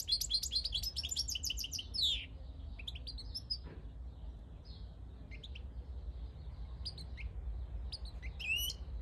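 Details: Wild goldfinch, 2022: an opening two-second flurry of sharp twittering notes, followed by scattered single chirps and short twitters spaced across the rest of the recording in a quiet setting.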